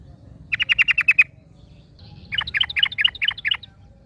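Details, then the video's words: ['Yellow-vented Bulbul in the wild, answered by another: a tight run of about eight sharp chirps, a pause, then a looser series of longer, downward-stroked notes, over soft low background noise.'] "KICAU Burung Trucukan Ngalas Trucukan Lain Langsung Nyaut"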